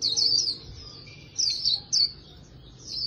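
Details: Oriental white-eye voice training in the 'líu' style: a few short, very high twittered phrases separated by pauses, the first and last drawn out, the middle ones clipped bursts.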